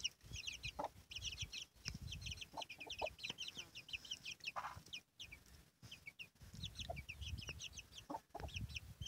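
Chicks keep up a dense chorus of high, rapid peeping, with a hen's occasional low, short clucks underneath and faint background rumble.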